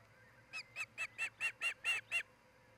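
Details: Osprey at a nest in Charlo, Montana, filmed by a nest camera on 07-10-2018 between 03:29 and 04:29, where a pair is building a nest: eight sharp whistled chirps in a quick, even series over under two seconds, with low hum beneath.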